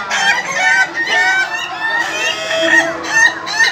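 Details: Ayam ketawa roosters at an Indonesian contest final give overlapping crows of rapid, cackling, laugh-like notes in quick succession, forming a constant chorus.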